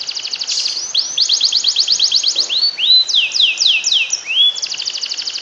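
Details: Domestic canary singing a special tutor song meant to stir quiet canaries into singing, with rapid runs of repeated high notes alternating with rising, whistled upslurs in quick, varied phrases.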